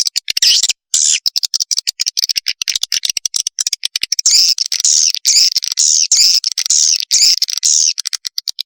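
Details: Lure recording of swiftlet chick calls: rapid, high, squeaky chirps and clicks packed closely, about two per second, with brief rising-falling buzzy notes running through.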